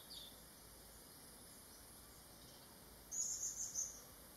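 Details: Blue-throated flycatcher in Thailand giving a quick run of four thin, very high chips near the end, over a steady background hiss.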